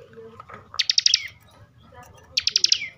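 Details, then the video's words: Bar-winged prinia (ciblek), Slawi, Central Java, gives ngebren song: two brief bursts of rapid high ticks trailing into a descending whistle, separated by about a second of quiet. "kicauan ciblek ngebren emosi"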